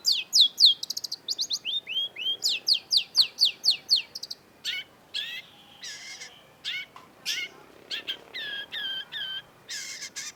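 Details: Long-tailed shrike song used to trigger a quiet cendet: a fast volley of steep high downslurred sweeps, a dozen or more in quick succession, giving way to sparser sharp clicks and short buzzy notes.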